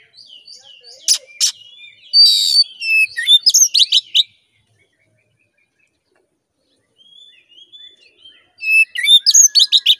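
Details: Oriental magpie-robin song played to make a caged male emotional and aggressive: soft descending whistles, sharp clicks, a harsh buzzy rasp and rapid loud notes, a long silence, then thin whistles and a final quick chattering run.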